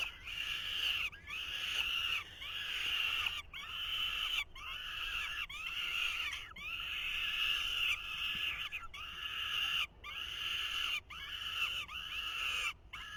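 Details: Nestling falcons in 2023 clamouring while the male attempts to feed them with little success. Rasping, wheezy calls in dense bursts about once a second, separated by brief silences.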